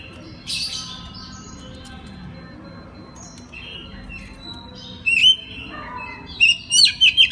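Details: Oriental magpie-robin night-therapy song in the clear 'ngeplong' style, played as a lure to get learning birds to answer; faint scattered phrases, then loud sharp whistled notes and quick slurred chips near the end.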